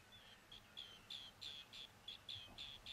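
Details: Green bee-eater calling: a series of short, clear trilled notes near the upper-middle pitch range, repeated about three times a second in bursts, with faint background hiss.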